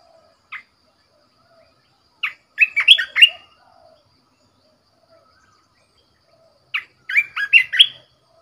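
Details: A decoy red-whiskered bulbul in a cage gives a lone chirp, then two loud, bubbly song phrases about four seconds apart. Each phrase is a rapid run of bright, slurred whistles.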